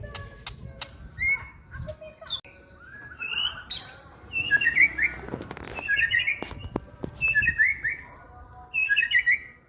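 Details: Moulting white-rumped shama singing loud whistled phrases of quick rising and falling notes in bursts every couple of seconds, with clicks and knocks around it.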